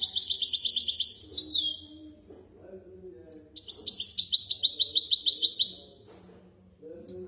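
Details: A misto hybrid canary, recorded for young birds to memorise, sings a quick trill ending in a downward slide, then after a pause a longer, varied run of chirping and trilled notes.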